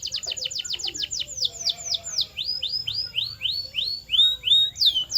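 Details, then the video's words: Canary song used for training birds to sing: fast repeated whistled tours, first quick falling notes, then slower downward-curving syllables about three per second, ending in higher sweeping notes. "The Ultimate Sound to Make Any Canary Sing Unstoppable!"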